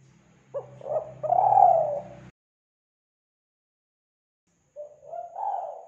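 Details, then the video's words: Spotted dove (tekukur) cooing in a Kelantan lure recording: short staccato notes build into a long, rich coo over a faint low hum, then after a pause another phrase starts with soft coos. "Pancingan Suara Burung Tekukur Kelantan"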